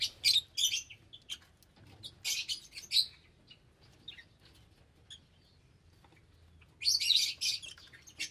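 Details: Lovebirds chatter in dense bursts of sharp, piercing chirps at the start, middle and end, with quieter squeaks between and a faint low hum.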